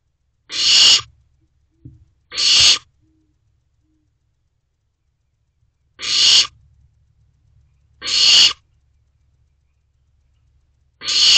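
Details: Barn owlets in a nest box at night, late May around 1:20 am; loud rasping screechy hisses, each about half a second long, repeated five times at irregular gaps of roughly two to four seconds, otherwise quiet.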